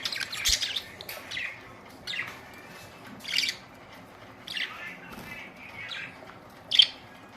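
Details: Budgies on April 19, 2023, uttering scattered high, buzzy chirps and short warbled notes every second or so, ending with one louder sharp call.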